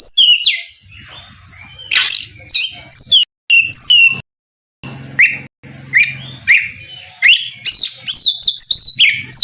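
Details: Oriental magpie-robin singing to challenge a rival into answering, varied bright whistles and scratchy notes in bursts, a short silent gap midway and a low hum in the background.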